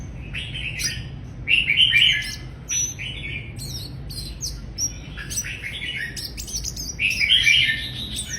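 Mrs. Gould's sunbird giving high, thin twittering chirps in quick, uneven bursts, loudest in two clusters, over a faint low background rumble.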